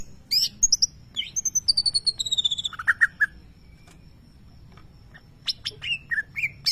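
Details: Champion greater green leafbird in a cage imitating lovebird calls: quick high chirps, a falling series of sharp repeated notes, a pause, then scattered high twittering notes over faint background hum.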